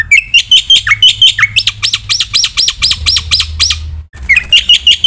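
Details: Black-winged myna in full training song, said to stir other mynas: sharp whistled chirps and downslurred notes give way to a run of arched, ringing notes, a brief pause, then the chirps return. A faint low hum runs underneath.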